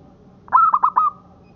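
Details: A local zebra dove gives a single song phrase, kept for tutoring other birds: four quick pulsed notes, the first stretching into a steady, level whistle-like coo, all within about half a second, over low hiss.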